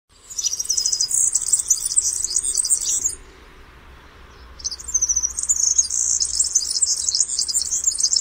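A European serin sings two rapid, jingling bursts of very high, buzzy twitters, each lasting about three seconds, separated by a brief pause.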